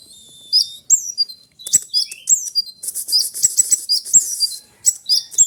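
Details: Oriental magpie-robin, called konin, singing a dense, fast, loud song of high whistled notes and sharp chirps with varied trills, in rapid bursts separated by brief pauses.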